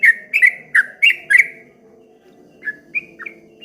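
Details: Streak-eared bulbul with wave-like rattling song: five loud quick chirps with clicks in the first second and a half, a pause, then softer scattered notes over a low hum.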